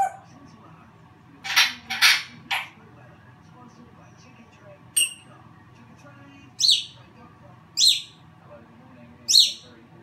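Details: Captive African grey parrot producing a cluster of harsh noisy calls, then a single click and three sharp, high piercing calls spaced roughly a second apart, with faint indoor background.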